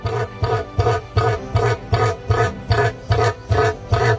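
Rhythmic music with a deep pulsing beat and bright tones, repeating about every half second, with no animal sound.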